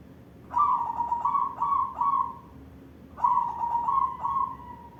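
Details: White barred zebra dove, likely caged, in full song; two phrases of soft mellow cooing, each a rising first note followed by three or four pulsed, slightly falling coos, about two seconds apart.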